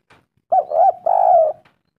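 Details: Spotted dove lure call meant to make other birds answer: a single phrase of two rounded, wavering hoots running into a long, steady, slightly falling coo, clear against a quiet background.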